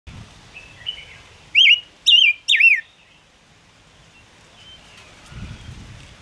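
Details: A Gouldian finch sings three loud, clear whistled notes in quick succession, each wavering then falling, over a soft background hiss.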